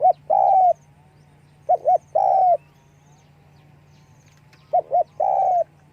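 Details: A spotted dove calls while flapping its wings. Three phrases, each a quick pair of short hooting notes and then a drawn-out, slightly falling croon, are set against a constant low background hum.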